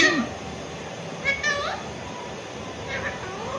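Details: Pet Alexandrine parakeet indoors, mimicking words and meowing: short harmonic chattering calls with a meow-like note near the start, a quick pair of bright stacked calls mid-clip, softer chatter late, steady room hiss behind.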